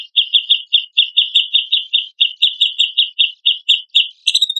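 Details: Chattering grey-cheeked bulbul singing, used as a training recording to rouse other birds into song: a long, steady stream of about twenty clipped, bright notes in quick rhythm, ending in a higher, sharper rising flourish, with no other sounds.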